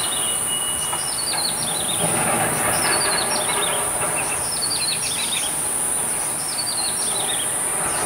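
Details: Yellow-bellied prinia singing outside a window overlooking Badouzi fishing harbour: bursts of thin, high whistled notes tumbling downward in short descending runs, repeated every second or so, over a steady high-pitched hum and soft background noise.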